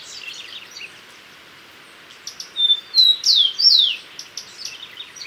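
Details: Common tody-flycatcher with a faint chatter early on, then a burst of short thin whistles and two loud downward-sliding notes, fading into soft ticking.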